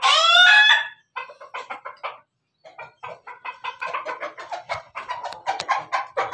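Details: A Pelung chicken crows in laughing fashion, opening with one loud, ringing, harmonic note under a second long, then breaking into a long string of fast, evenly spaced staccato syllables, about three to four per second.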